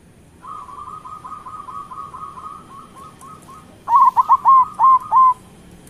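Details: Local zebra doves used as a singing lure: a soft, steady beaded trill runs for several seconds, then a loud burst of six ringing coos breaks in.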